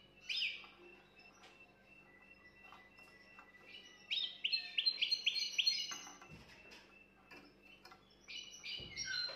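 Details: Canary song for stimulating a female, heard as a short buzzy note, a long quiet gap, then a burst of rapid bright trilled notes and brief whistled phrases, with a soft low hum and some room noise.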